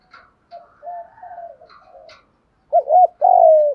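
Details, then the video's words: Spotted dove lure call: soft, quiet murmured coos at first, then one loud phrase of two short coos followed by a long, gradually falling coo at the end, used to draw in wild doves. "tiếng chim cu gáy kích bổi nhanh nổi rất hiệu quả/ tiếng chim cu gáy mồi gáy giọng hay nhất"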